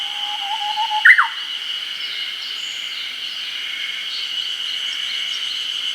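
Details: Japanese bush warbler singing in an early-summer forest in Hokkaido, recorded with a Nikon COOLPIX P950: one long, level, low whistle, then a sudden loud, rising-and-falling flourish, over a steady high-pitched drone.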